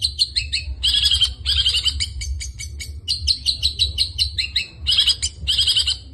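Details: Long-tailed shrike singing in a lively full 'isian' style: dense bursts of scratchy, chattering, high notes in packed phrases, separated by brief pauses, with a low steady hum underneath.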